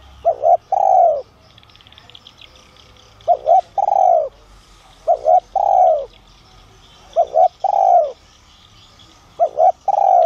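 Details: Spotted dove, giọng son voice, calling to attract other doves: repeated three-note phrases, two clipped coos and a long falling coo, roughly every two to three seconds; faint chirping nearby.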